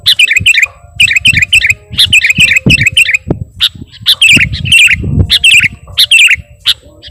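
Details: Sooty-headed bulbul (kutilang) lure song full of imitated phrases: clusters of quick, high twittering notes in repeated bursts, with low thumps and knocks in the background.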